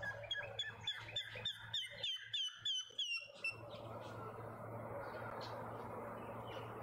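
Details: Male African grey hornbill in a suburban garden in Pretoria, South Africa, giving a fast run of clear, high piping whistles with harmonics, about three per second, for roughly three and a half seconds before it stops, leaving steady background hum.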